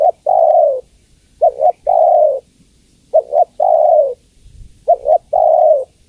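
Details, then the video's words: A female spotted dove calls for the male in a run of cooing phrases, each a quick two-note stutter followed by a long mellow falling coo, four phrases in about six seconds. "Suara Tekukur Betina Memanggil Jantan"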